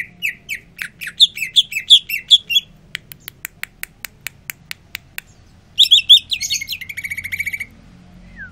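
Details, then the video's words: Greater green leafbird in a cage after sunbathing sings fast varied high chirps and slurred whistles, then a steady series of dry ticking clicks, then a rapid buzzy trill of repeated notes. "Cucak ijo rajin bunyi"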